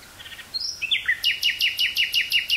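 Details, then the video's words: Nightingale in woods near Burgh-Haamstede, Netherlands, recorded on cassette 18 May 1983: a high sliding whistle then a rhythmic series of about nine loud, evenly spaced descending chirps. "Nightingale singing near Burgh-Haamstede, NL"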